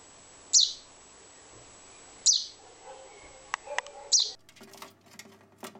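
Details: A young chaffinch searching for its parents gives three thin, very high, downslurred calls, about two seconds apart. A few soft clicks and knocks follow near the end.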